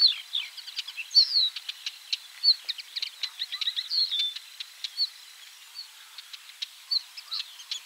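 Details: At 51.880598, 20.116961, a common linnet (Linaria cannabina) sings a rapid, twittering jumble of short chirps, trills and nasal notes, high-pitched and restless, with a few soft background chirps.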